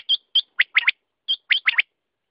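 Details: Quail giving two identical phrases, each of two clear high notes followed by a quick burst of sharp, descending chips.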